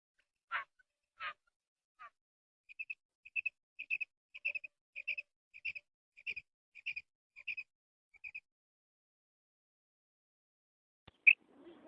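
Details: Female quail call used as a hunting sound: after a few crackly sweeps, about a dozen clipped double notes, wep-wep, repeated twice a second in a quiet setting, ending with a sharp click and rustle.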